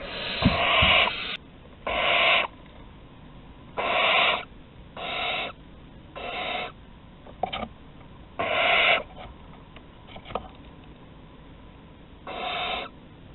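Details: Nest-webcam recording of barn owls at Théding, France, on 15 August 2020, with food deliveries at the entrance; loud snoring hisses, each about half a second long, come in a steady series with short clicks between them.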